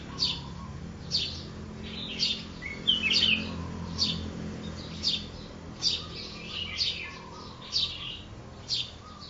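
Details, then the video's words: Red-whiskered bulbul from mountain forest, wild-caught one day earlier, singing: short bright warbled phrases repeated about once a second, with low background hum. "Chào mào núi rừng bổi 1 ngày hót"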